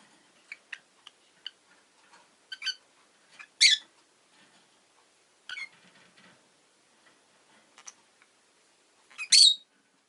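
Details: Pet rosy-faced lovebird calling with short, harsh, high chirps scattered through the clip, two of them much louder and piercing, separated by small ticks and pauses.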